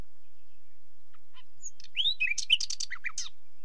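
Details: Nightingale song phrase: faint scattered opening notes build into a rich, rapid jumble of slurred whistles and sharp high clicks, tumbling down in pitch before stopping.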